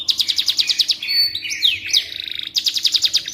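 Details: Canary singing, played to teach magpie robins: rapid rhythmic trill of short notes, then a buzzy mid-pitched stretch with sharp descending slurs, and a return to quick repeated notes.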